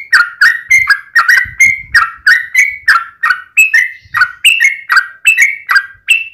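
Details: Yellow-vented bulbul giving a long, energetic fighting song used as a lure for other bulbuls: quick, liquid, up-and-down chuckling notes tumbling almost without pause, slightly rising in pitch toward the end.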